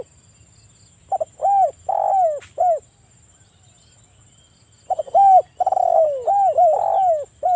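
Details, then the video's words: Breeding-condition spotted dove calling provocatively to set off other doves: two phrases of stammered notes, humped coos and a long descending coo, a pause of about two seconds between, with a thin constant high tone underneath. "PANCINGAN TEKUKUR AGAR BUNYI (EJEKAN MENTAL BIRAHI PEMICU BUNYI)"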